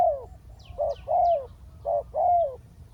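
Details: Spotted dove used as a ground decoy to call down a wild bird: a short coo followed by a longer, falling drawn-out coo, the pair repeated twice, with faint high chirps of other birds above.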